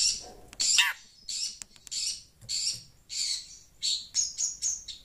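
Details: Noisy Long-tailed Shrike responding to phone sound, with rasping high bursts roughly every half second, one sweeping descending note near the start, and faint lower chatter beneath.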